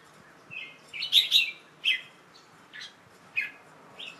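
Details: A young male red-whiskered bulbul, on 1 January 2012 in the late afternoon, after a bath and covered to rest, gives short, bright chirping song phrases in scattered bursts. A louder cluster comes near the start, then a few clipped notes, against a quiet background.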